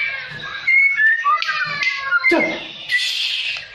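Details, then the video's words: White-rumped shama, its fighting style of rough rolling song and dense 'shooting' notes when provoked by a rival: short clear whistles sliding between pitches, broken by harsh buzzy bursts and a brief scratchy rasp. "MURAI BATU GACOR NGEROL KASAR DAN NEMBAK RAPAT"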